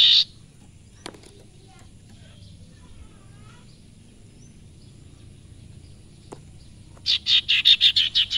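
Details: Sirpu (sirtu) singing: after a long quiet stretch with a couple of faint clicks, a fast train of about eight short, harsh, buzzy notes repeated roughly three times a second.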